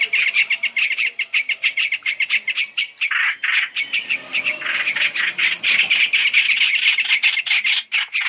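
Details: Chinese hwamei in a combined three-in-one trapping lure: rapid rasping notes tumble out roughly four per second, thickening into a continuous scratchy chatter in the second half.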